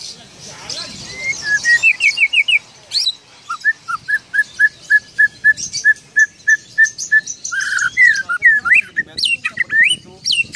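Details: Oriental magpie-robin singing with a mimicked parking whistle: a long steady run of short, even, piercing whistle blasts, roughly three per second, between quick varied chirps and swooping high notes. Faint background noise.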